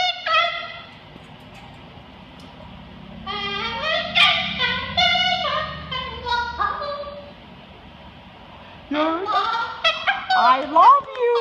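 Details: A male pet bird singing and dancing in an office gives bursts of bright, rich gliding notes, with speech-like phrases near the end; owner thinks he says "I love you".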